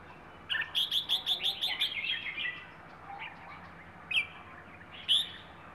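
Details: Bird of Rayong wild stock sings plai ho: about eight crisp, evenly repeated chirps in quick succession, then two isolated sharp notes after a pause.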